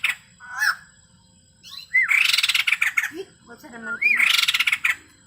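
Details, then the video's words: Male white-crested laughingthrush in lively song with filler imitations: brief upslurred whistles swallowed by loud, harsh crackling chatter, a few low nasal notes between the bursts. "burung poksay jambul putih gacor full isian"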